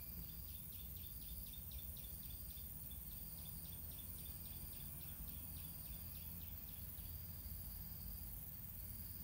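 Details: White-rumped munia chicks in a garden nest, fed by their parents, give rapid bursts of thin, high, repeated ticking chirps through the first half, then quieter. A steady insect buzz and low rumbling background run throughout.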